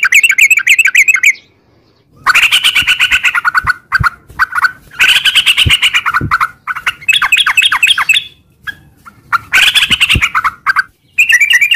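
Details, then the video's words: Yellow-vented bulbul singing gacor in long ropel style, a lure to set caged bulbuls singing; repeated bursts of very rapid buzzy chatter broken by bubbly slurred notes and short silences. "trucukan gacor ROPEL PANJANG buat pancingan trucukan agar bunyi jadikan burung trucuk gacor NYAUT"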